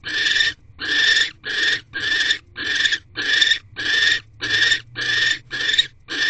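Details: Barn owl at a nest box, the male delivering food to his mate on the evening of 19 January 2024 around 6 pm; harsh, rasping, hiss-like bursts, eleven in about six seconds, each roughly half a second long, steady rhythm.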